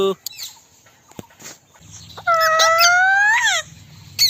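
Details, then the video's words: Indian ringneck parrot making a drawn-out, tonal, whining phrase that holds steady, climbs slightly, then drops sharply at the end, with a few clicks beforehand and a low hum throughout. "Talking Parrot Viral Video Indian Parrot natural sound"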